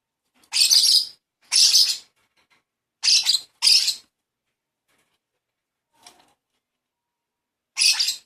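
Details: Lovebird chick calling while hand-fed: loud, wheezy, hissing squawks, half a second each, in pairs with pauses, one faint click between them.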